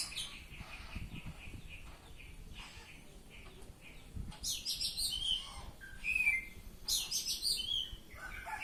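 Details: Oriental magpie-robin singing ngeplong, opening with soft, evenly spaced chirps, then breaking into loud, harsh chattering bursts with whistled slides in the second half.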